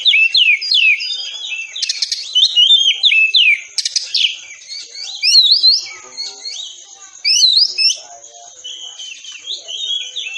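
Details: Oriental magpie-robin singing a dense tembakan rapat training song for caged birds: rapid strings of sharp whistled slurs and scratchy bursts over a steady high thin tone, almost without pause.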